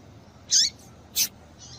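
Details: Female yellow-bellied seedeater calling to make males sing: a loud high squeaky note sweeping downward, then a sharp bright note about half a second later and a faint soft trailing note.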